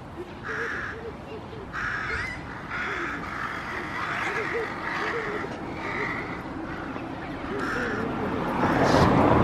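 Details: Crow recorded on 5 June 2016, giving a series of harsh repeated caws about once a second, with steady background noise and some lower voice-like sounds.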